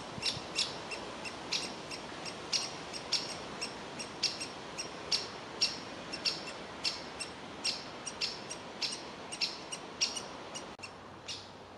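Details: Young woodpecker in a tree cavity begging for food as the parents try to get it to leave: thin, high squeaky notes about every half second, somewhat irregular, over steady background noise.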